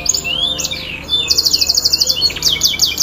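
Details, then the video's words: Song of a canary, played to get a non-singing bird going: gliding whistled slurs leading into a rapid, even, high-pitched trill, then more quick sweeping notes. "PANCINGAN KENARI MACET"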